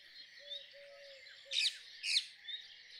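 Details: Two bright, harsh screeches half a second apart from a rose-ringed parakeet stand out over a steady background of twittering birds.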